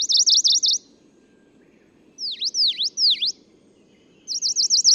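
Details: Singing male Tokara leaf warbler on Nakanoshima, Tokara Islands, Japan, 11 June 2017: a fast run of high buzzy zigzag notes, then three slower sharp down-up swooping notes, then another rapid zigzag run; low steady background hum.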